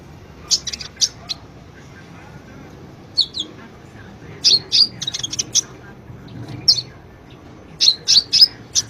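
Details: Sunbird, known locally as konin or kolibri ninja, in lively song used as a master recording for training cage birds: scattered bursts of very high, sharp chirps and short trills, with quiet pauses between.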